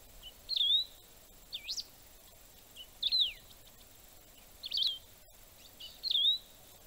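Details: Canário-do-campo singing, offered as birding playback: short thin phrases around high pitch, each a quick rising-then-falling slur, repeated about every one and a half seconds over faint steady background hiss.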